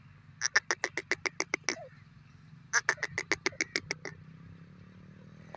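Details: Francolin (teetar) calling: two bursts of harsh, rapid, clipped notes, about ten per burst at roughly eight per second, separated by a short pause, over a faint low hum.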